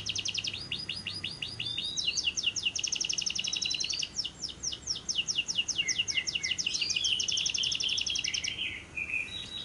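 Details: Lovebird long trill (ngekek) from a lure recording to get lovebirds singing day and night: an extended, very fast rattling trill lasting about eight seconds, with squeaky slurred notes woven in and a low hum early on.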